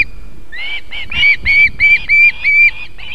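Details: Female osprey feeding chicks at a nest in Võrumaa, South Estonia, near a fish farm and river, evening of 31 July 2021: a series of loud, shrill whistled notes, slightly downslurred, repeated about three per second after a quiet start.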